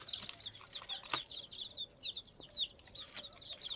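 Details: Several frightened chicks peep loudly and continuously, each call a high, piercing, downward-sliding note, overlapping at about two calls a second.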